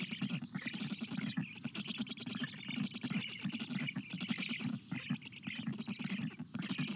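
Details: Black stork chicks at a nest on a very hot day, June 25 2022, begging for water as an adult brings a shower. Dense rasping, pulsed calls run nearly continuously, with low buzzy throbbing under harsher upper tones and brief pauses.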